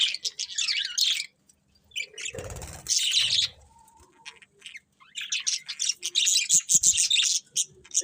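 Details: Budgerigars singing happily during feeding: dense rapid chirping and squeaky warbles, interrupted by a brief low thump and rustle near two and a half seconds, then quieter, then a renewed burst of fast chatter.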